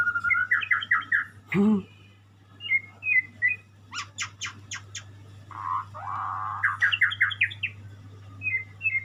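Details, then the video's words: White-rumped shama singing: a varied run of clear whistled phrases and quick trills of repeated rising notes, broken by a sharp click and short pauses, over a steady low electrical hum. "burung muray , burung berkicau"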